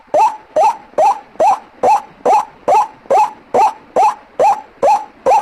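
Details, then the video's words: White-breasted waterhen call used as a lure for trapping: a low, hoarse, rising note repeated steadily about every half second, thirteen times in a row, loud and uniform. "Suara Pikatan ruak ruak"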